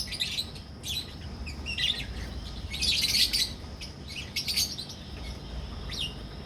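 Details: Caged albino red-eyed and personata red-eyed lovebirds in a Pakistani colony breeding setup, producing scattered shrill chirps and squeaky trills in short clusters, with a louder burst near the middle and quieter gaps between.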